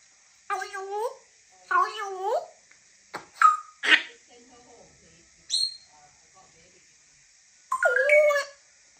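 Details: African grey parrot talking in short, separated word-like phrases. Harmonic, voice-like syllables mix with clicks and a brief high whistle, followed by a louder final phrase after a pause.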